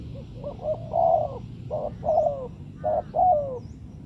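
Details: Spotted dove coos played to lure wild birds into traps: short rolling coo phrases in uneven bursts over low background rumble, with faint higher bird chirps.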